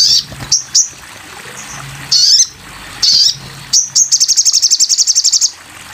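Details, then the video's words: Sogon bird singing as a training recording: brief high squeaky chirps separated by pauses, ending in a long, rapid, evenly spaced high-pitched trill, with constant low background noise. "masteran burung sogon"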